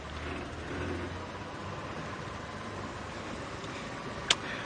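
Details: Low engine rumble of an idling vehicle with a single sharp click near the end; no animal voices.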